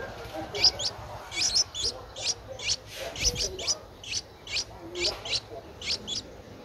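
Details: Nestling Streak-eared Bulbul aged 10 days, Ubon Ratchathani, Thailand, April 2023: rapid strings of thin, high squeaky notes, often doubled, keep coming over seven seconds against a soft low hum.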